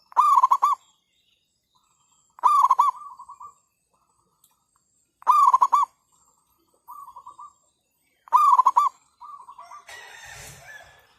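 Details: Trapping decoy zebra dove calling under cloudy skies after overnight rain: four loud rolling coo bursts roughly every three seconds, most followed by a soft trilled tail, and a brief rustling noise near the end.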